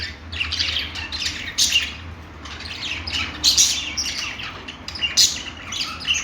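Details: Australian parrots known as budgies giving clusters of high chirps and scratchy squawks in separate bursts with quieter gaps between, over a low humming background.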